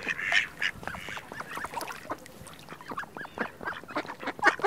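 Ducks and ducklings calling together: a dense, overlapping chorus of short, high peeping notes with a few louder bursts.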